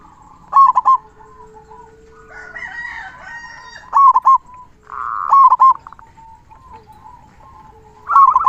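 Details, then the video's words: Local zebra dove singing a big 'kung' song, used to rouse quiet doves. Rolling coo phrases recur every few seconds, with a brief burst of other sound between them. "Perkutut Lokal Gacor Suara Kung Besar Masteran Burung Perkutut Agar Bunyi"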